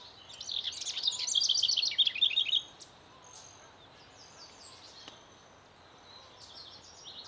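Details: Nesting female Broad-tailed hummingbird: a dense, loud run of fast high chips and twitters for the first two and a half seconds, followed by sparse faint squeaky notes over a quiet hiss.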